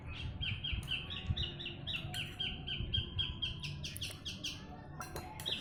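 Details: Javan bush lark in Jombang, East Java, Indonesia, a steady singer used as a model for training other birds, repeating short whistled notes about four per second before rougher chirps, over low rumble.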